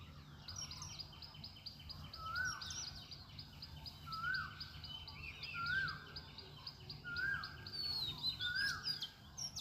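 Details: Birds calling at sunrise in the morning: several overlapping callers, with a repeated upslurred whistle roughly every one and a half seconds over high, fast chattering notes, and faint low background hum.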